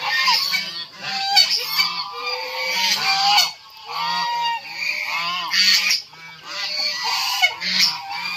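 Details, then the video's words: On a poultry farm with fighting chickens, white geese call loudly: strong nasal honks, some rising then falling, repeated in clusters with brief silences at about three and six seconds. "itik angsa"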